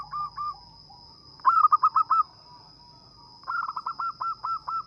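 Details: Zebra dove of local stock, singing actively with a small, melodious voice used for luring birds; three bursts of quick, evenly spaced cooing notes separated by short pauses, with a thin constant high-pitched whine behind.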